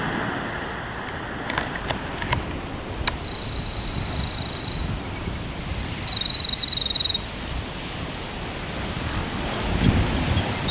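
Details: Killdeer near its nest performing an injury-feigning distraction display, giving a thin, high drawn-out note, then a rapid shrill trill lasting about two seconds, over steady wind-like rushing noise.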